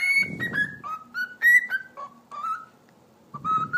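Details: A pet cockatiel's whistling show after its talking: a clear, pure, melodic tune of sliding whistled notes, falling then rising in short phrases, with soft low rustling underneath and a brief pause near the end.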